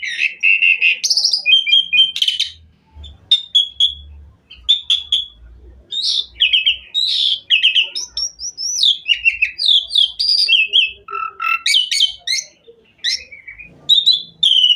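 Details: Asian pied myna singing a long, varied, energetic song used to make other mynas sing: a steady flow of whistles, chirps, harsh notes and quick slurred phrases, with soft low thuds in the background.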